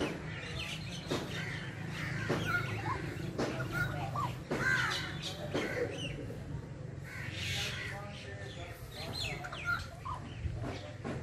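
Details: Rufous treepie (Dendrocitta vagabunda) calling loudly in jungle, harsh, grating notes about once a second, mixed with a few short ringing whistles, over a steady low rumble.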